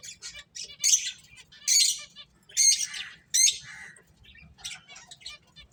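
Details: Finches at play give loud buzzy high chirps in four strong bursts about a second apart, then softer scattered twitters.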